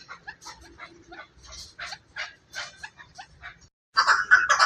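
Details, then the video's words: Chukar partridge, Pakistan: quick uneven clucking notes, some doubled, running for about four seconds, a short pause, then a louder, denser burst of calling at the end. "Chakor | chakor ki awaz"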